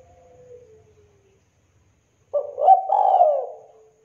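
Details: Tekukur, the spotted dove, in a clean mastered recording. A faint trailing note fades away, then after a pause comes one loud phrase: a short stuttered start running into a long, full, slightly falling coo.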